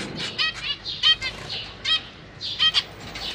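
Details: Zebra finch family in a cage, two parents with three juveniles and three newly hatched young, parents busy feeding: short nasal harmonic chirps from several birds, irregularly spaced, with soft rustling between calls.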